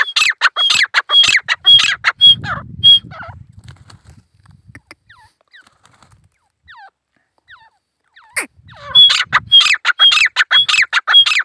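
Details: Male grey francolin calling alone in jungle: bursts of loud, harsh repeated phrases with high whistled notes open and close the recording, separated by a quieter stretch with faint low rumbling and a few soft distant notes.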